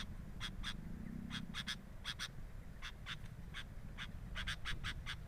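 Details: From a camera beside a sooty-headed bulbul nest: sparser, softer chip notes, mostly single or paired, spaced irregularly over a faint low hum.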